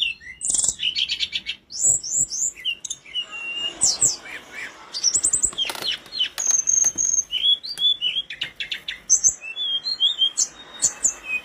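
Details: Flowerpecker from the mountains, recorded singing vigorously as teaching material for caged birds: sharp high ticks, clicking rattles and short piping whistles delivered in quick irregular bursts, with a few soft wing-flutter sounds.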